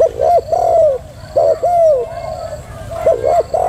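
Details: Cooing of a female spotted dove, with paired short notes each followed by a long, gently descending coo, the phrase repeated three times in quick succession, loud and clear over a quiet background.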